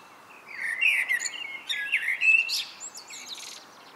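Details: Evening song of a common blackbird: rich, mellow warbled phrases sliding up and down, several run together over two seconds, closing in thin high twittering notes against a quiet background.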